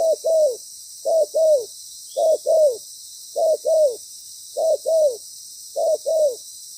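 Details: Loud decoy spotted dove calling in a trapping setup: evenly spaced pairs of low coos, the second note longer and slightly falling, six pairs at a steady pace with a faint continuous hiss.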